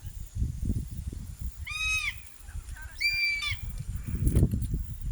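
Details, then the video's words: Crested hawk-eagle while hunting: two loud, nasal, arched calls with rich harmonics, each under half a second, spaced about a second apart, over steady low rumbling and rustling noise. "sights sounds of the Crested Hawk Eagle bird hunting"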